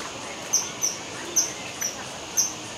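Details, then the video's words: Kingfisher giving a series of five brief, shrill, high whistled pips at uneven intervals of about half a second to a second, cutting cleanly through a constant rushing hiss. "Kingfisher call, 翠鳥叫聲"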